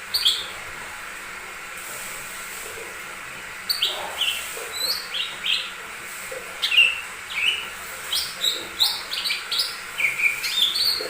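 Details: Lure song from a lesser green leafbird for stirring other birds to sing: a single note, a long pause, then an accelerating string of ringing whistles and chips, dense and varied toward the end.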